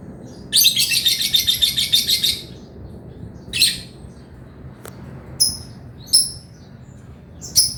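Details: Male lovebird in lively chatter, meant to stimulate lazy or young birds. Opens with a two-second buzzing, pulsing trill, followed by scattered sharp chirps and clicks.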